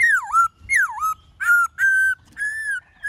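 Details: Black-throated laughingthrush in 'forest voice' song, many voices: looping whistles that swoop down and back up, followed by long, steady, ringing tones, each phrase about half a second.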